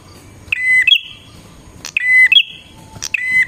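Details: Bar-winged prinia luring song aimed at wild prinias: three quick phrases, each a steady whistle leading into a higher rasping tail, separated by sharp clicks.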